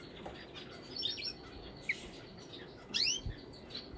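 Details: Brambling calls: scattered high chirps, a short upward note, then a loud rising double sweep, with faint low thumps.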